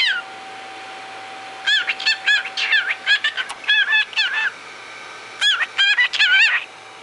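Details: A male cockatiel chatters on and on in bursts of harsh, wavering chirps that bend up and down, over a faint steady hum, while another cockatiel ignores him.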